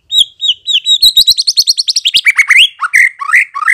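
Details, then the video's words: White-rumped shama lure song meant to provoke replies: a few high, even chirps, then a fast rattling run of sharp notes that breaks into lower, rising, slurred whistles. "memikat MURAI BATU agar NYAUT dan NGEPLONG"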